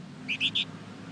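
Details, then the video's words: Flamboyan bird used as a lure for other birds to respond, giving three short, clear, high whistled notes in quick succession against a faint low background hum. "Suara pancingan burung Flamboyan gacor terbaik , pasti nyaut"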